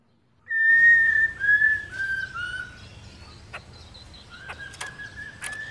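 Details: Female black-throated laughingthrush calling continuously to excite males: a few bright drawn-out whistles that step downward, then fainter level whistles, with sharp knocks and clicks and a faint background hiss.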